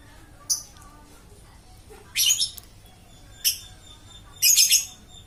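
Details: A lovebird that keeps singing without stopping gives scattered shrill, rasping chirps, some short and sharp, others longer grating bursts, spaced irregularly against a faint hiss.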